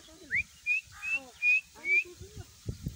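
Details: Grey francolin, possibly a trained fighting or calling bird, giving five shrill, clear whistled notes roughly every 0.4 seconds, the first rising; low murmurs and thumps follow at the end.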